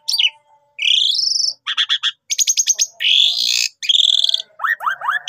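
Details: Javan pied starling singing vigorously in the mompa style, used as a trapping lure: a rising buzzy whistle, harsh rattling bursts, a bright downslurred note and a closing series of quick rising chirps.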